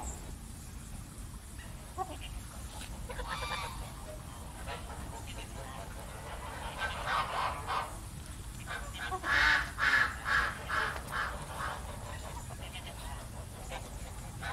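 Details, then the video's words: Geese calling, a run of loud nasal honks around nine to eleven seconds after quieter scattered calls, over steady low background noise. "How geese scream/goose sounds"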